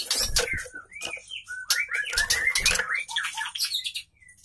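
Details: Female white-rumped shama kept in a cage, singing to attract a male: short arching whistles and chirps over heavy rattling and flapping thumps.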